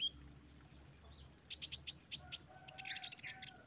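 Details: Training song of a sunbird for caged birds: after soft high whistles, six sharp, bright, evenly spaced high notes ring out, followed by a rapid jumble of high twittering.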